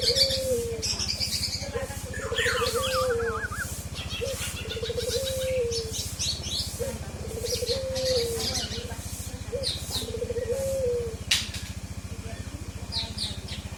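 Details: Repeated song of a forest oriole used as isian material: four low fluty whistled phrases, each swelling then falling, spaced about every two to three seconds, with high twittering birds and a steady throbbing motor behind.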